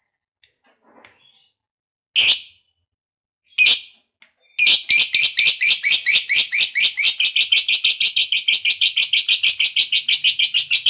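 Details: Fighter lovebird used as a song lure for other lovebirds: a few separate sharp squeaks with pauses, then a long, rapid 'ngekek' chatter of shrill, grating notes pouring out evenly for over six seconds.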